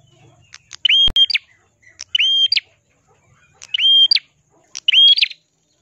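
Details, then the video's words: Ashy prinia in full, persistent song, described as crystal-voiced and suited for tutoring other songbirds: four bright, clipped phrases, each a steady high whistle between fast rising sweeps, spaced roughly a second apart; one sharp click near the start. "burung prenjak kelawu gacor suara kristal cocok untuk masteran"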